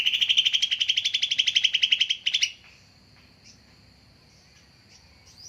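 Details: Greater green leafbird lure call for trapping: a long, fast, loud pulsed trill of over two seconds, then quiet with a faint continuous high tone and scattered soft chips.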